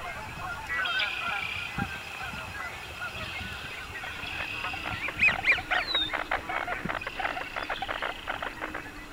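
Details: American coots on a crowded marsh in the springtime courtship season; a rapid run of harsh, honking pulses fills the second half, over a busy background of other marsh birds calling.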